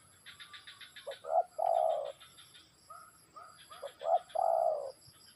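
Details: Spotted dove cooing: two phrases of quick short hoots ending in a long drawn coo, mixed with bursts of fast, buzzy chirping from another bird.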